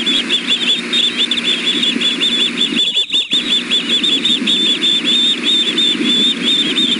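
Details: Three osprey chicks at Wolf Bay nest, Alabama, 6:00 pm on 5 July 2016, all food calling nonstop with a steady stream of shrill whistled chirps; one chick was biting.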